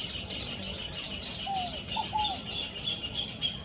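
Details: A single low three-part phrase from a scaled dove (rolinha fogo-apagou), a falling cooing note then two short notes, set against thin, high repeated notes of other birds.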